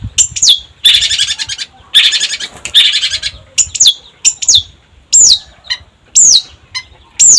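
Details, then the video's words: Long-tailed shrike singing energetically, mixing rough, grating bursts of about a second with sharp, downward-sweeping high whistles repeated roughly once a second. "Pancingan Cendet Gacor"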